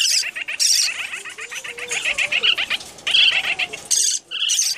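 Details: A young lineolated parakeet, just handfed, begs at a young yellow parrotlet with rapid, rhythmic, raspy chirps, several per second, mixed with higher squeaky notes; the parrotlet may be calling too.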